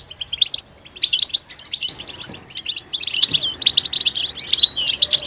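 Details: Goldfinch betbeta calls stimulating a male to sing and show mating readiness: scattered high chirps at first, then thickening into fast, tinkling twitter with buzzy notes that run almost without pause toward the end.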